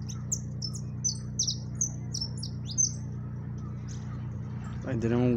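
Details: Yellow siskin (jilguero amarillo) singing in máquina style near the microphone: high, quick twittering phrases for about three seconds, fading, then a man's voice speaking at the end over a low hum.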